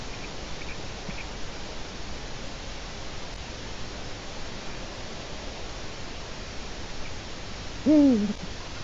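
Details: Eurasian eagle-owl at a nest webcam in Latvia, early March afternoon: a single deep, slightly rising-then-falling hoot comes near the end, after several seconds of steady windy hiss.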